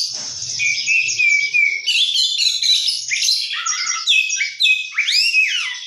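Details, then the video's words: Energetic oriental magpie-robin song rich in isian fill-in phrases, with a sustained whistle, then tumbling varied chatters and trills, closing with loud upward-arching whistled slurs; faint low rumble at the start. "kacer gacor isian mewah"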